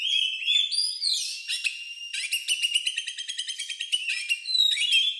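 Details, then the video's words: Kacer, an Oriental magpie-robin whose odd song resembles a lovebird's, played to stimulate other birds; dense stream of sweeping whistles, buzzy rattles and fast repeated chips, no gaps. "Suara Burung Lagu Unik Kacer Ini Cocok Untuk Pancingan"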